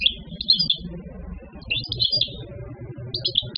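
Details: A wild-caught European goldfinch, caught around 2015, sings three quick bursts of bright, tinkling twitters, each under a second long, over a steady low indoor hum.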